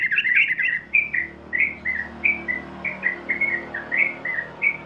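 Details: Sooty-headed bulbul (trucukan) in ngeropel style for training young birds: a rapid opening flurry of whistles, then evenly spaced short slurred whistled notes, each a quick up or down sweep, roughly three per second.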